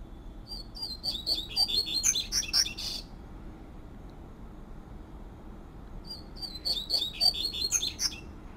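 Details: Double-collared seedeater singing the fluted 'tui tui' song style in nature: two quick phrases of high, sweet, slurred whistled notes, rising toward the end, separated by a few seconds of quiet with soft background hiss.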